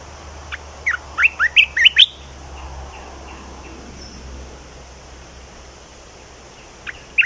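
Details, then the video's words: A bulbul sings a fast phrase of six or seven rising liquid whistles, then pauses before a brief closing note, with a low background hum. "เสียงนกกรงตาแดงเจ้าขุนพลEp2.เสียงใหม่ต่อเข้าจริง!!!Kicau merbah belukar gacor"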